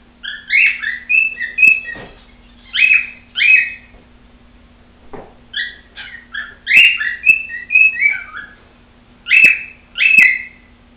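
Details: Female pet cockatiel singing at home, unaware of the nearby camera: phrases of warbling, stepped whistles rising and falling, with sharp clicks between phrases and a steady low hum underneath.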